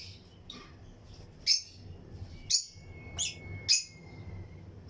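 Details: Lutino lovebirds in a breeding aviary with other birds give four or five sharp, separate chirps spaced about half a second to a second apart, with a thin steady whistle-like tone and faint chatter behind.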